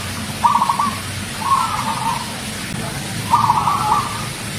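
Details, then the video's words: Champion zebra dove of a local strain in full song, giving short rolling trilled coos in quick bursts, with a brief gap before a longer vibrating phrase, set against a constant low rumble. "perkutut lokal manggung gacor suara mantap"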